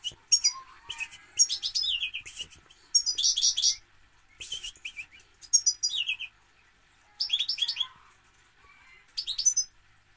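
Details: European goldfinch singing in bursts of bright, twittering, tinkling notes with buzzy trills, phrases about every one to two seconds separated by short pauses, over a faint steady background hum.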